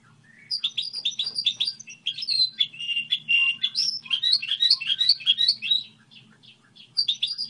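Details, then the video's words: Goldfinch hybrid song model: a rapid, busy twittering of high chirps, trills and short whistled notes, with a faint low hum running underneath, ending in a brief pause before the twitter resumes. "Hibrid sticlete ,model de cântec (Goldfinch hybrid)"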